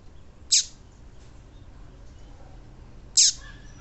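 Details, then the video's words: Female Double-collared seedeater giving its 'tui tui' call, used to excite males: two short, sharp, high descending chirps about two and a half seconds apart over a faint steady background hiss. "Esse Piado de Fêmea de Coleiro Esquentar Qualquer Coleiro Bom pra Esquentar Coleiro tui tui Rápido !"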